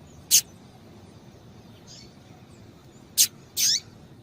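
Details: Female rusty-collared seedeater chirping to rouse a male, brief piercing high notes, a faint softer one in between, then a closing pair with a slurred falling second note.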